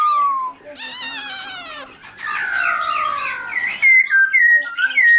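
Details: Silver-eared laughingthrush song: a falling whistle, then a harsh buzzy rattle and a sweeping chattering phrase, ending in a series of clear rising and falling whistled notes.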